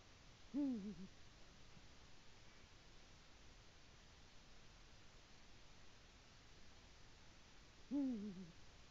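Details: Male Eurasian eagle-owl arriving at the nest and calling his mate, recorded on a nest camera in Latvia on 22 February 2018: two short low wavering hoots about seven seconds apart over steady hiss.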